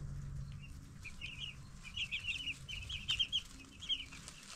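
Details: Young broiler chickens, 10 days old, peeping in short bursts: a quieter start, then a run of high, bright cheeps in clustered pairs and triplets, with a faint low hum.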